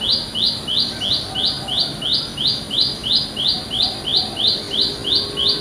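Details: Wild olive-backed tailorbird in a village setting, calling loudly: a bright buzzy note rising slightly, repeated very regularly about three times a second, over low rumbling background noise.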